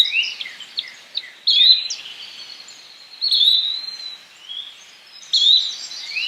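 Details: Yellow-bellied flycatcher voice: quick rising whistled calls recurring every couple of seconds amid a busy background of other birdsong.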